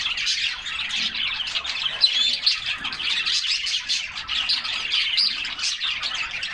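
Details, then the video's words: Canaries singing while they splash about in a cool bath on a summer day; an unbroken chorus of rapid high chirps and trills, with a few brief pure whistled notes standing out. "Summer Serenade: Canaries Singing and Splashing in a Refreshing Bath"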